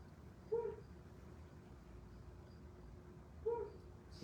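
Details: Flammulated Owl at night on a high-elevation mountain slope in the US Southwest, giving two soft, low, single hoots about three seconds apart over a quiet background hiss.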